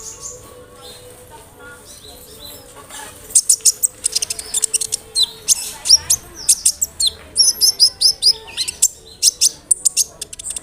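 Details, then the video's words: Sunbird (kolibri ninja) lure song meant to prompt other sunbirds to respond: after a quiet start, a rapid run of sharp, very high chirps and twittering notes, about two per second, over a faint hum. "SEMUA BURUNG KOLIBRI NINJA AKAN NYAUT DENGAN SUARA KONIN INI"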